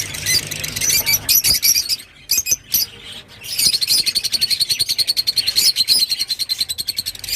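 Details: Rosy-faced lovebird: harsh high chirps, a brief lull with a few squeaks, then a steady, rapid, buzzy pulsed chatter lasting several seconds.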